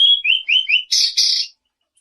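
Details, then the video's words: Selendang biru singing keenly as a lure: four quick high whistled notes, each slightly falling, followed by two short buzzy, harsh bursts, then silence. "Suara burung SELENDANG BIRU GACOR || ampuh langsung disautin"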